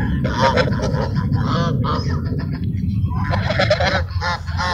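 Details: Ducks fed at Sunset Park make scattered harsh quacks and honks, with a brief lull in the middle before another burst of calls, over low background rumble.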